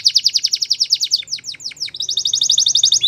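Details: Belgian canary training song: quick evenly repeated chirps in a steady rhythm, a few descending sweeps, then another fast chirp series.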